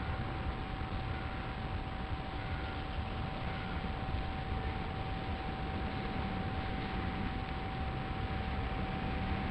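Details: Broad steady noise with a constant electrical hum tone throughout; no clear animal voice.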